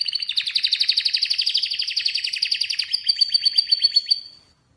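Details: An Atlantic canary delivers a long, fast, even trill that shifts to a slightly higher pulsed roll before fading out.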